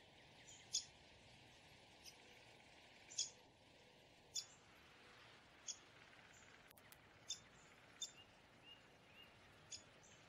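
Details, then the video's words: Downy woodpecker giving short, sharp, high-pitched single notes, spaced irregularly about one to one and a half seconds apart, some slightly louder and doubled, over a faint steady background hiss with a brief click midway. "Downy woodpecker call / song / sounds"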